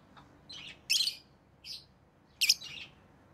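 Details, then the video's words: Rosy-faced lovebird kept as a pet, with orange-faced green and red-headed green colour forms, giving sharp high chirps in short bursts, a few per second, over a quiet background. "Rosy Faced Lovebird Chirping Sounds"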